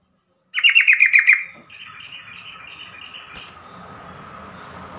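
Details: ['A single rapid stuttering phrase of about eight sharp notes from a yellow-vented bulbul, then softer trailing chatter over a steady low hum.']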